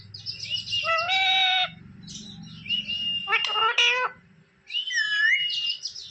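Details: Caged talking rose-ringed parakeet in India voicing speech-like mimicry: a long harmonic syllable, then flat whistled tones and clustered squawks, with low household rumble in the background.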